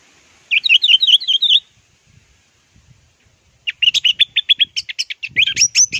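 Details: Teler-style song of an orange-headed thrush, in a plong and teler training recording: a rapid run of bright warbled notes, a short gap, then a long chattering series of sharp, evenly spaced notes that grows into varied whistles.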